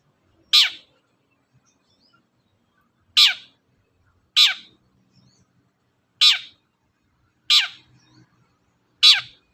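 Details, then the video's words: Cendet, the long-tailed shrike, calling to provoke other birds to sing: six short harsh downslurred notes at uneven gaps of one to three seconds, loud and scratchy with faint low background noise. "suara pancingan burung cendet"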